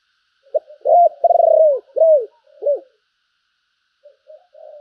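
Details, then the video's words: Good-looking decoy spotted dove calling: a quick note, an arched coo, a long vibrating note sliding down, then two more bowed coos. Faint soft notes follow after a pause. "Tiếng chim cu gáy mồi đẹp mã hót hay, thúc và gáy gọi"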